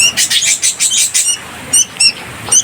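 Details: Bulbul chick on its fourth day of care, on a morning with rain since dawn, begging for food while flapping its wings: a rapid run of loud, harsh, buzzy bursts, then several separate high chirps.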